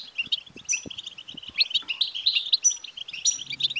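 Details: Goldfinch song in the btbta style, used to stir a male goldfinch to sing, with rapid tinkling twitters and several sharp high ringing notes. Faint low knocks are heard early on and a soft rasp near the end.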